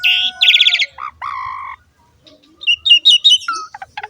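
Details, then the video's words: Training song of an Asian pied starling for young birds: a harsh buzzy note, a steady low whistle, then after a short pause a quick run of bright chirps and sharp ticks. "PANCINGAN BURUNG JALAK SUREN SUPER GACOR FULL ISIAN MEWAH"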